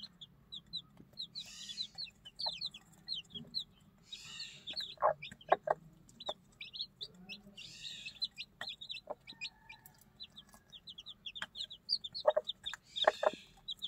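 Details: Newly hatched one-day-old chicks being fed beside their mother hen: constant high, thin cheeping in quick scattered notes, occasional soft hen clucks and clicks, and faint background hum.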